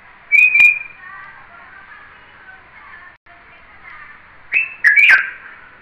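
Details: Red-vented bulbul giving two sharp whistled notes at the start, quieter warbling in between, then a closing cluster of loud bubbly slurred whistles, over steady hiss.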